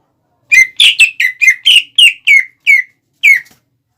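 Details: Greater green leafbird song used as a lure for rival birds: about ten strong, slurred whistles, fast at first then slowing, with each note dropping in pitch.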